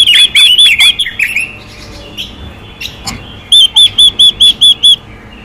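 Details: Female Chinese hwamei calling to stimulate males: a loud flurry of slurred, overlapping whistles opens, soft chirps follow, then a clean row of seven evenly spaced high notes.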